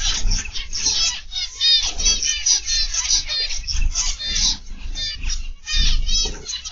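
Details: Captive zebra finches in an aviary in the afternoon keep up loud, dense chattering of bright, nasal toots and beeps in quick bursts, over low-pitched rumbling noise.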